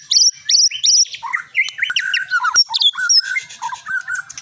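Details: Long-tailed Medan white-rumped shama, a prized competition songbird and champion of many contests, singing a melodious, varied song: repeated bright high whistled phrases, then rapid chattering notes sliding between pitches, with a quick jumbled run at the end.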